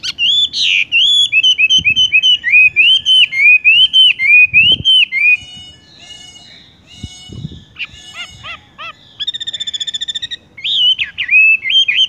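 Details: Horsfield's bush lark delivering tung roll style song: a long string of rising and falling slurred whistles, quieter mixed chirps, then a fast buzzy rolling trill before the whistles resume.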